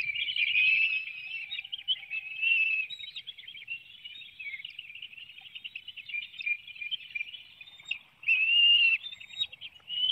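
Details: Continuous squeaky, trilling calls at a bald eagle nest in Hanover, Pennsylvania, filmed by webcam at 7:04 a.m. on 9 June 2019 during a fish feeding of the young. One louder drawn-out squeal stands out near the end.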